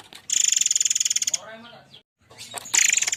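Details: Harsh 'shooting' style forktail (murai air) lure song: a long, fast, buzzy trill of very high notes, then a short descending chatter, a brief pause and another high buzzy burst.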